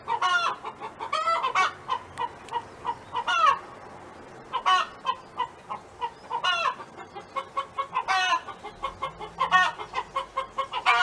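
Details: Hen's song at a farm, roughly eight loud drawn calls separated by quick clucks, a short lull midway and a faint low hum near the end.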